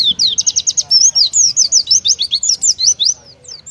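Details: Rapid, loud, high-pitched whistled phrases from an Oriental white-eye (pleci) in 'tembakan' competition song liked by judges, with notes tumbling almost without pause throughout.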